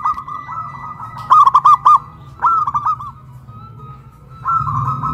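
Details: Local zebra doves from Kuningan, West Java, Indonesia, a big-voiced and a crystal-voiced bird duetting while caged and hoisted high on a pole, singing loudly: a mellow rolling coo phrase of quick bubbling notes, answered by softer overlapping cooing, with a faint steady hum.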